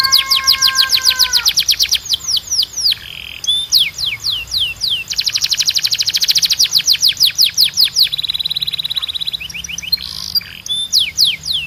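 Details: A Belgian canary sings non-stop, with quick pulsed trills over a low steady tone at the start, then cascades of falling sweeps, a buzzy rattle, a sustained even trill and more descending whistles.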